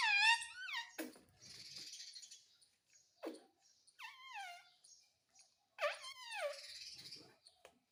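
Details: Parrot imitating Hindi words such as "mummy" indoors, giving wavering, descending voiced syllables in three bursts separated by soft rustling and faint clicks.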